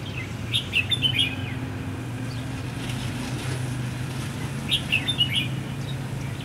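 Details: Red-whiskered bulbul singing its fighting song on the first day of Tết 2016, the bird serving as a trapping decoy; quick chirpy warbled bursts open the clip and return near the end, with a steady low hum underneath.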